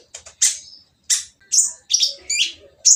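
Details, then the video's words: Oriental magpie-robin with a rough, noisy song used to spur others into singing: a few loud, harsh high bursts spaced about half a second apart. "konin yang diam malas bunyi akan nyaut jadi gacor setelah mendengar suara konin berisik ini !!"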